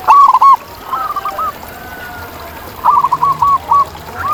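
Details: Wild zebra dove in its natural setting: a loud, quick trio of hollow coos opens, followed by softer, broken cooing runs. Another fuller phrase of several linked notes comes in toward the end.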